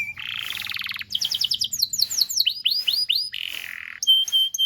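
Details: Tutor song of a canary for young birds learning to sing: a buzzy rolling trill, quick chirps, looping rising-falling whistles, then a steady buzzy note and bright whistled tones.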